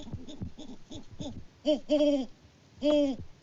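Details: Mated Great Horned Owls on a Peabody, Kansas farm in February 2024, the male calling out of view before going to roost. A few soft, quick low hoots lead into three louder, longer, strongly resonant hoots.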